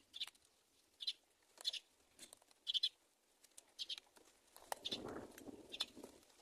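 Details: Myna chicks in the nest awaiting their mother's feeding give rasping high-pitched calls in a series about once a second, followed by a low rustling burst near the end.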